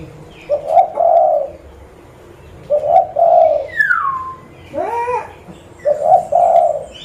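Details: Local zebra dove, Pidie regency, Aceh, Indonesia, calling as a lure: three sets of doubled soft coos spaced about two and a half seconds apart, with another bird's descending and wavering whistles in between.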